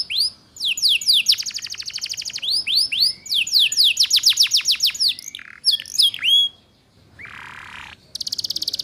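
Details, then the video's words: Canary lure song for young canaries to learn ngeriwik: tumbling series of rising sweeps and dense trills, a pause, a drawn-out buzz, then a rapid high chatter. "Suara Pancingan KENARI Paud Cepat Belajar BUNYI Ngeriwik"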